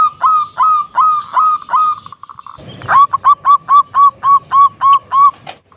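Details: Lure recording of a loud local zebra dove used to provoke rivals: clear ringing notes repeated about three times per second, broken by a brief noisy pause, then resuming in an even, rhythmic series.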